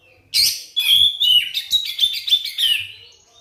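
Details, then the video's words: Lure song of an Oriental magpie-robin, meant to spur non-singing birds into full song: a sharp high opening note, then a rapid run of varied whistles and scratchy chattering notes, ending in a slurred descending whistle. "suara pancingan kacer terbukti ampuh bikin kacer macet langsung on gacor bukor"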